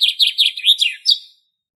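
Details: Common chaffinch in Greek nature giving part of its song: about six quick, evenly spaced chirping notes, then a short, higher terminal flourish. The background is silent.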